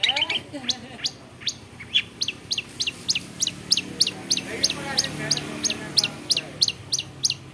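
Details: Cendet, the long-tailed shrike, a clever mimic of other birds, repeating sharp high chip notes about three times a second, with faint murmuring voices and a low hum early on.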